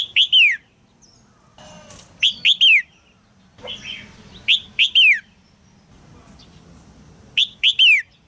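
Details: Red-whiskered bulbul female in a cage calling to get a young male singing: clusters of two or three sharp descending chirps every few seconds, with brief rustling and softer notes between bursts.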